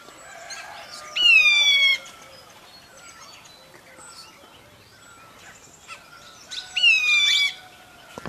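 Black bulbul giving two harsh, nasal, slightly falling squealing calls about five seconds apart, with faint chirps of other birds behind.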